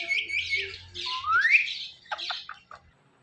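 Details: Pet parrot from a male and female pair, the male teasing the female: a harsh squawk blending into a sharply rising whistle, followed by a few short clicking chirps.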